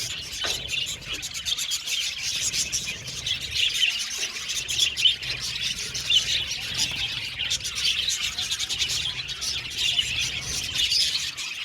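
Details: Budgies chirping together in a colony aviary, a constant busy twitter of rapid clicks and high chirps that stays even in loudness throughout.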